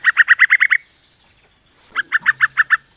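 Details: Female yellow-vented bulbul calling to the male: two quick bursts of about seven clipped, chattering notes each, bright and evenly spaced, separated by a second of silence.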